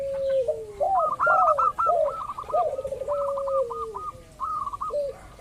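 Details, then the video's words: Zebra dove of local stock, recorded to provoke rivals into calling; chattering series of short hooked notes run over lower bubbling, descending coos, with a brief pause near the end. "pancingan burung perkutut lokal ampuh , perkutut lokal jago memancing lawan bunyi"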